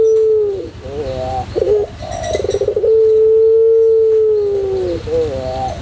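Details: White long-cooing Barbary dove of the pelung type, recorded as a tutor recording for training other birds. It sings low coos: a rolling, stuttered start, then a long, steady drawn-out note that falls slightly at the end, repeated twice.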